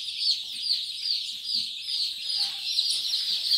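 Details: Kadaknath day-old chicks kept for sale at Singaperumal Koil, Chengalpattu district, peep together in a dense, continuous chorus of high, shrill notes with no pauses between callers.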